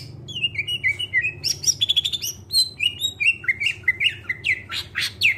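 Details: Greater green leafbird song meant to coax other birds into singing: a lively run of clear descending whistled notes, quick chirps and sharp high upslurs, varied and continuous, with a low background hum.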